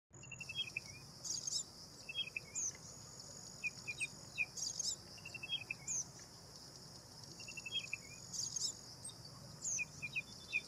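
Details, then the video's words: Bank myna calling: short clipped notes and quick chattering runs at mid-high pitch, coming in bursts every second or so, over a steady high insect buzz and a faint low rumble. "Bank Myna (Acridotheres ginginianus) Myna Bird"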